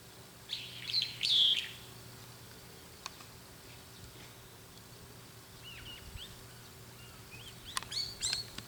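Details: A Brown-eared bulbul (Hypsipetes amaurotis) perched on an antenna calls as if talking to companions, with loud, shrill squeaky phrases, thin chirps and another burst of harsh, high notes, over a faint steady hum; it flew toward the companions' calls.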